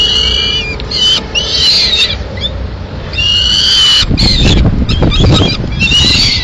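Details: A female peregrine falcon feeds two chicks at the nest, Madrid, 21 May 2016. Long harmonic whining calls come in several bouts. Rustling and handling noise during the later part suggests tearing of prey.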